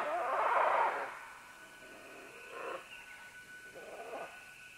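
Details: Several green-winged macaws calling at medium-close range as they descend along vines: one loud, harsh, drawn-out squawk opens, followed by two shorter, fainter calls about one and a half seconds apart, over a quiet background.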